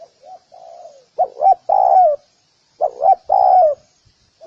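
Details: Spotted dove calling: a faint, soft, low coo opens, then two loud phrases, each a short, wavering double note followed by a drawn-out, falling coo. The next phrase starts at the end. No other sounds.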